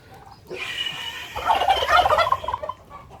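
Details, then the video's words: Domestic turkey gives a loud, fast gobble, a bubbling glú-glú rattle of quick notes lasting about a second after a brief higher opening note. The keeper raises and breeds these turkeys and says they answer him when he calls. "Sonido de los pavos"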